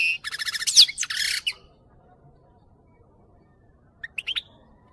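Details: European goldfinch song used for training goldfinches to sing: a dense burst of high twittering and buzzy notes, then about two and a half seconds of quiet and a brief cluster of sharp chirps.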